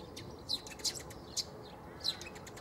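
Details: Eurasian tree sparrow at Bundek in Zagreb, Croatia, on 9 March 2015: several short, sharp, high chirps at irregular half-second gaps, with a steady low hum of background noise.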